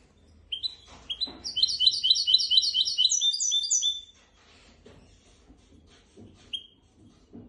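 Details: Goldfinch x canary hybrid delivering tutor song for goldfinches and canaries: two sharp upslurred notes lead into a rapid, continuous run of high trilled twitters lasting about three seconds, then quiet with faint knocks and one lone chirp.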